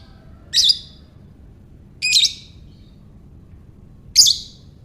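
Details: Ngekek-style lovebird calls, used to lure other lovebirds into singing: three short, rasping, shrill notes about one and a half seconds apart, each slightly wavering, over quiet hum.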